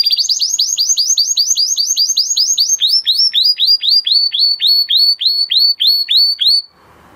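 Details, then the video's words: Male canary in song: a long run of quick downward-sweeping whistled notes, repeated about three times a second, switching to a slightly lower tour midway, then stopping. "Beautiful canary song اواز زيباي قناري نر مست"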